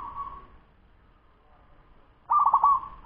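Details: Fast local zebra dove, ten months old, singing: a fading mellow coo, a quiet pause, then a loud stuttered run of rapid cooing notes, low and warm in tone.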